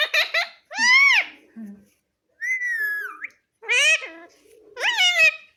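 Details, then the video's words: Pahadi parrot kept as a pet, imitating "Mummy Papa": four loud, shrill, voice-like phrases with rising and falling harmonic bands, one held flat note in the middle, brief silences between them. "Pahadi Parrot Talking Mummy Papa"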